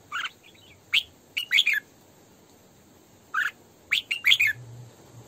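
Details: Female red-whiskered bulbul (Pycnonotus jocosus), song: two bursts of quick, bubbly, chirping phrases a couple of seconds apart, over a faint steady high-pitched hiss.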